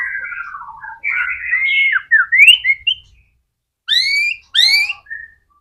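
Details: White-rumped shama singing vigorously, a lure meant to make other shamas sing: a falling whistled run, then rich warbled and rising whistles, and after a pause two loud upswept notes with a short whistle.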